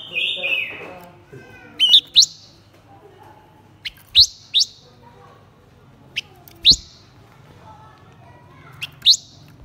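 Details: Blue-winged minla, male and female, in a lure song meant to stir up wild-caught birds: sharp, high chirps that slide downward with a short trailing tail, spaced about every two seconds over a faint low hum; a brief scratchy noise at the start.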